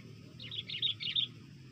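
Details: Sooty-headed bulbul call used as a lure for trapping birds: a short burst of quick, high chirps and chattering notes, about a second long, over a low background rumble.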